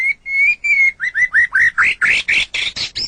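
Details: White-rumped shama, song played to train captive songbirds: a steady clear whistle, then a string of about ten rising whistled notes that quicken and grow harsher, roughly four per second.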